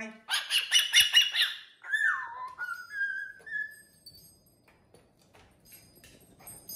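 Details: Pet cockatoo indoors, energetically dancing on a TV stand, gives a harsh raspy burst of chatter, then a slurred whistle sliding downward and a few softer whistled notes, in a quiet room.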